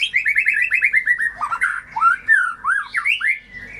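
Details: Lure song of a white-rumped shama for birds that stopped singing: a quick rhythmic string of downslurred chirps, followed by looping melodious whistles that swoop up and down.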